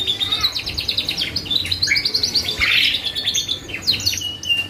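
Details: Canary singing vigorously, used as a lure to draw song from other birds: fast, dense runs of high chirps and rapid trills, with a brief louder burst near the middle and continuous rolling phrases.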